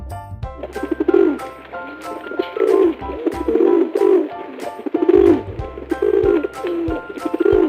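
A pigeon gives low, soft, throaty coos in short rolling phrases about every second, over background music with sustained tones.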